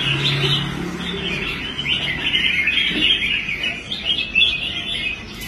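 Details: Caged red-whiskered bulbul, a competition bird that had stopped competing and was rehabilitated, singing well on the show rack: quick warbled chattering phrases run almost continuously, with a low steady hum underneath.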